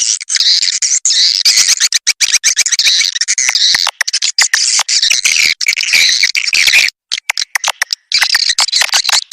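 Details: Swiftlet lure call recording, an Indonesian sound called SP. Âm Ngoài Vĩnh Châu, used to attract swiftlets: dense, continuous high chirping and twittering with sharp clicks, many overlapping calls, brief gaps near the end.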